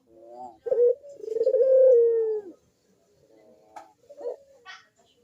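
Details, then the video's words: Single Barbary dove phrase used to entice lazy doves to coo: a clipped opening note and a long, low, smoothly falling coo, followed by near silence and a few faint chirps. "PANCINGAN BUNYI PUTER PALING AMPUH UNTUK BURUNG PUTER YANG MALAS BUNYI"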